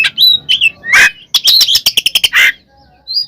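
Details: Oriental magpie-robin in ngeplong style fight song, used to provoke other birds: varied whistles and slurred notes, a harsh rasp, then a quick burst of clipped chips and another rasp, ending in a short high whistle.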